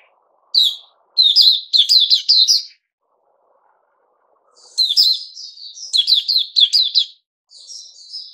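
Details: Captive bulbul giving lively runs of rapid, clipped chirping notes in two main bursts separated by a short silence, ending with a softer, drawn-out warble.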